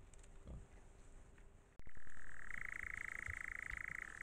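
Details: In Asturias, Spain, at dusk at a crossroads used by wild boar families, a nightjar starts a steady, dry churr partway through, a fast mechanical purring trill held on one pitch, after faint rustling.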